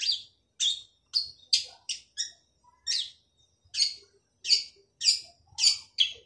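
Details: Male long-tailed shrike in vigorous song, giving loud, harsh, buzzy notes singly or in pairs with short silent gaps, against an otherwise quiet background.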